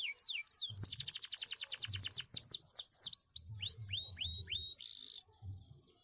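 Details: Canary, a former contest bird, singing a varied song: falling whistled sweeps, a fast trill of rapidly repeated notes, then a series of downward-curving slurred notes, ending in a buzzy phrase, with soft low thumps beneath.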